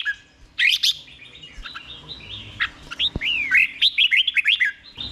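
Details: Red-whiskered bulbul 'berl' song meant for caged birds to copy: a few scratchy notes and a click, then a lively run of looping, down-slurred whistles near the end.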